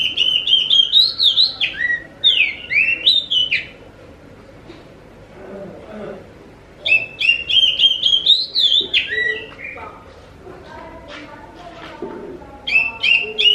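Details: Lure song of the Oriental magpie-robin (kacer) to provoke answers from other magpie-robins: energetic bursts of rich warbled whistles, separated by quiet gaps of a few seconds, returning three times.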